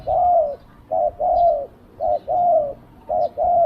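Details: Spotted dove decoy calling to attract wild doves: clear, low coos in a regular pattern, a short note then a longer slightly falling one, repeated about three times.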